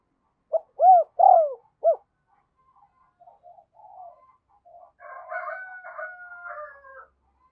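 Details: Decoy spotted dove urging and cooing to attract wild doves: one phrase of a short note, two hollow coos and a clipped end, followed by soft scattered chirps and a longer stretch of chattering from other birds.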